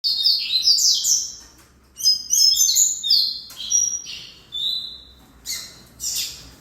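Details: Double-collared seedeater singing: bursts of high, sharp whistled and buzzy notes, some slurred downward, grouped in quick phrases separated by short pauses, with a clean, quiet background.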